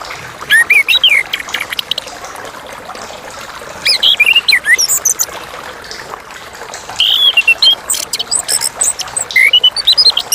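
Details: Chestnut-capped thrush, locally anis kembang, singing a clear song: phrases of rising and falling whistled notes mixed with quick chips, delivered in bursts a few seconds apart.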